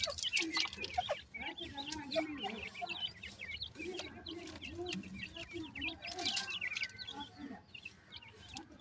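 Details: Grey francolin (teetar) chicks: many short high peeping chirps overlapping constantly, with lower clucking notes and a murmur of voices underneath.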